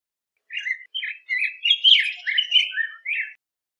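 A yellow grosbeak sings a rich, warbled phrase of about three seconds: sweet, rolling notes that rise and fall. The background is quiet.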